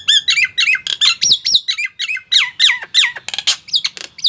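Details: Nias hill myna singing in a fast, steady run of loud squawks and whistled slurs, about three or four notes a second. Many notes swoop down and then up, with buzzy bursts between them. The recording is meant to coax mute mynas to sing.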